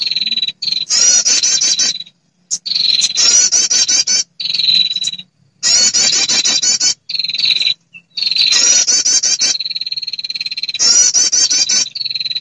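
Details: Prinia female calling males as a trapping lure: repeated cycles of rasping, clicking trills and thin sustained high whistles over about twelve seconds, with short silences between.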